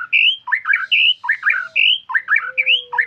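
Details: White-rumped shama repeating clear, fluty whistled phrases mixed with quick descending note clusters in a steady rhythm, each phrase separated by brief gaps.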